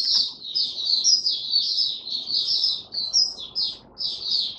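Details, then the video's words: Male white-eye, Mata Puteh, in opening song, dated 08012022: a dense, unbroken warble of high, bright chirps, briefly stuttering near the end before resuming, over light background noise. "Mata Puteh Raja Stablizing his form buka sing"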